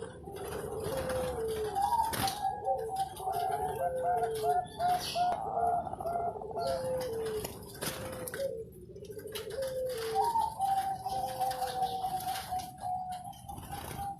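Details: Award-winning competition zebra dove from Sidoarjo, East Java, giving its anggungan cooing song: rolling, trilled coo phrases that step down then hold a level tone, repeated in overlapping series, with faint room noise.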